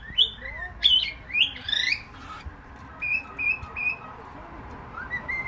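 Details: Cockatiel uttering loud, rough upward-sliding squawks, then three clipped flat whistles in a row and a soft rising note to finish, with light room noise behind.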